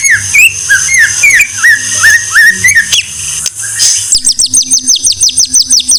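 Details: White-rumped shama song for training songbirds: clear lower whistled notes with falling slurs, a harsh buzzy passage, then a quick series of high descending whistles repeated about three times a second.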